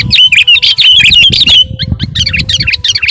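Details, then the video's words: Sooty-headed bulbul calling to lure other birds: a rapid string of clear, slightly slurred whistled chirps for about one and a half seconds, then quieter broken chirping notes, over low background rumble. "Mp3 Suara Pikat Burung Kutilang Gacorr"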